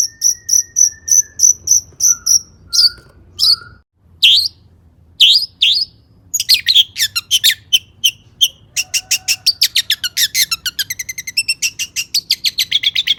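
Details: Long-tailed shrike singing energetically, a recording meant to get other shrikes singing: thin high whistles in a row, then sweeping slurred notes, building into a dense, rapid chattering trill.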